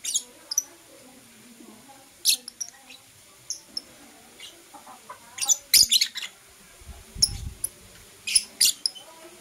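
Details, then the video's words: Morning chirping of Blue Opaline and Parblue Euwing Opaline lovebirds: scattered, thin, high chirps, singly and in short bunches, with a dull low thump midway. "Lovebird Chirping Sounds"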